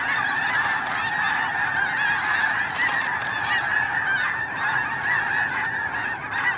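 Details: Snow geese in an early blast-off at Hagerman NWR: continuous roaring chorus of countless honking calls, with intermittent bursts of flapping wings from the rising flock.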